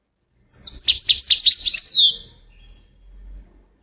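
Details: Goldfinch song: a quick burst of high, bright twittering notes lasting about one and a half seconds, closing with a downward-sliding whistle, followed by near silence with a faint low rumble.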